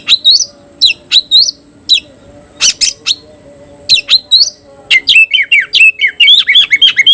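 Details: Oriental magpie-robin (kacer) held in captivity, performing its 'tayoraky'-style song and opening its tail. Separate piercing upslurred whistles give way to a quick run of warbled, wavering notes near the end.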